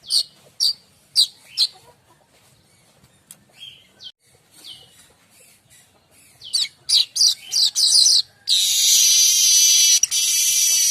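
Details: Streaked weaver (manyar kembang) song meant to tutor other songbirds: evenly spaced sharp chips, a faster run of loud chattery notes, then a sustained high sizzling buzz.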